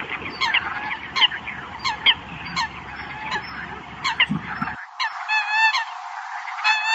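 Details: Eurasian coot calling the flock: short harsh nasal notes with stacked overtones, repeated roughly every half second, over a low rumbling background that cuts out near the end, leaving clearer overlapping calls.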